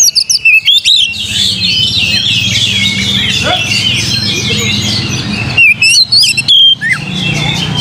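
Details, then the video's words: Song of an Oriental magpie-robin, played to spur singing: clipped bright whistles open and close the stretch, separated by a thick wash of overlapping chirps from other birds. "PANCING KACER"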